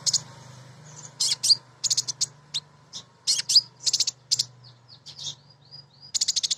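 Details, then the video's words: Singing female Van Hasselt's sunbird (kolibri ninja), kept as a lure to draw song from other birds. Very high, sharp chirps and quick stuttering trills come in bursts separated by short pauses, with scattered thin upslurred notes. "Kolibri Ninja BETINA Ngriwik Nyrecet Nembak Pancingan Paling Jitu Burung Bahan"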